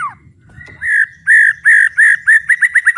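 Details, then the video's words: Captive white-rumped shama (murai batu) in full-volume song with fighting spirit: a falling note, then clear whistles that repeat faster and shorter into a quick accelerating series. "ISIAN MURAI BATU GANAS❗TEMBAKAN MURAI BATU BUKA PARUH VOLUME PENUH POWER💥 SHAMA BIRD"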